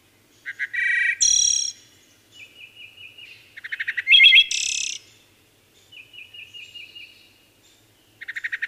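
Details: Repeated wood thrush phrases: loud low notes, then a shimmering high burst. Soft rapid warbles fill the gaps between phrases, and the song repeats after a few seconds.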